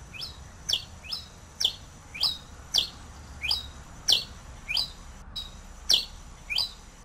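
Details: Pileated finch song: a steady series of short, sharp downslurred chips, high and bright, repeated roughly every half to two-thirds of a second, with faint low background hum.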